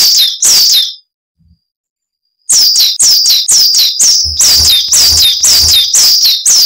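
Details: Coal tit song from a cage-bird training recording: loud, high, repeated two-note phrases about two per second, pausing once and then resuming, with a low hum in the background partway through.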